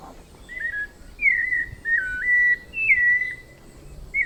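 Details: Melodious whistled song of a White-necked thrush in Brazilian woodland: a soft opening note followed by three strong sustained phrases with slight dips, then a pause and a final short rising note.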